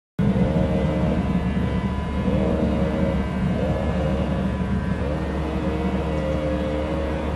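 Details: A steady, loud aircraft engine drone fills the recording, with low humming tones that swell and fade slightly, and no animal voice stands out.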